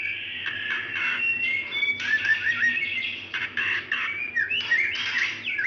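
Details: Female white-rumped shama calling to a male, used as a lure to get a quiet male singing: high whistled notes, sliding and wavering, mixed with harsh scratchy bursts in a continuous stream.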